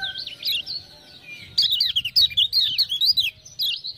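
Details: Lemon-bellied white-eye from Lombok, a tutor songbird, answering ciak-ciak prompting sounds: soft high warbles, then a sudden loud run of quick slurred, zigzagging notes lasting over two seconds.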